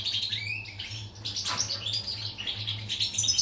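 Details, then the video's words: Song of a pied European goldfinch, 14 July 2019: short rising whistles lead into a jumble of quick, high, tinkling notes and a brief harsh burst, over a faint steady hum. "Chardonneret , El jilguero,bird , cardellino pezzato"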